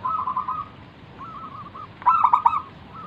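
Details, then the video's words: Local wild zebra dove in full song, used to lure other doves into calling. A trilled coo and a softer rolling phrase are followed by a louder, sharply stuttered burst near the end. "burung perkutut lokal Gacor manggung - pancingan pikat paling Ampuh mengundang bunyi"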